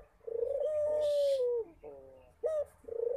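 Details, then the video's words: Barbary dove giving a long smooth coo that begins with a rolling purr and slides lower at its end, followed by a sharp upslurred note and the start of the next coo. "Suara Burung Puter Rajin Berbunyi"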